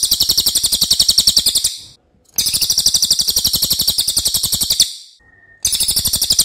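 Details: Loud, long song of a racket-tailed treepie, a crow relative, kept as a training recording for other birds; harsh, shrill pulses repeated very fast in three long runs, with brief pauses and a faint thin tone between.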